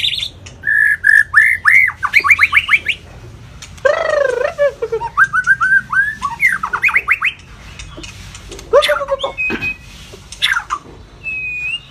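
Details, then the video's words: White-rumped shama song used to teach varied long phrases and excite other shamas: fast rising whistle series, a loud swooping downward call, more quick rising notes, then scattered sharp calls and thin whistles. "chòe lửa hót giọng dài,kích lửa cho chòe lửa căng lửa"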